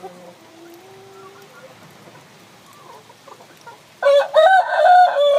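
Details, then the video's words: Rooster crowing while a hen sits on eggs: four seconds of faint, quiet tonal notes over low background, then a loud, strained, harmonic crow of about a second and a half, broken into several wavering segments. "Gà trống kêu mái ấp trứng, âm thanh gà gáy"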